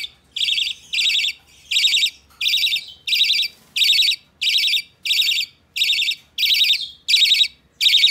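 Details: Tame budgerigar chick calling on 12 November 2020: a regular series of about eleven coarse, buzzy calls, each under half a second, coming in quick even rhythm.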